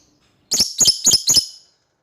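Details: Four loud, grating shrieks from a lovebird calling out to an opponent, evenly spaced in just over a second, each one high, rasping and slightly doubled.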